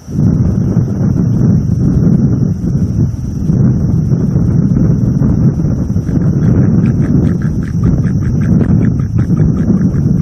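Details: A pair of wild bald eagles at their northeast Florida nest tree just after midnight give warning calls toward an owl nearby, caught by a live nest cam: a run of quick, repeated sharp notes rising out of heavy roaring wind.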